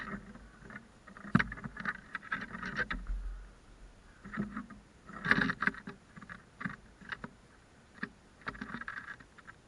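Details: Scattered knocks and thumps over a low background rumble, with no distinct animal voice.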